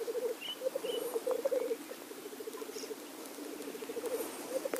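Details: Displaying blackcocks at their lek produce a rapid, pulsed bubbling murmur in repeated phrases, with a couple of short hissed notes and faint higher calls behind.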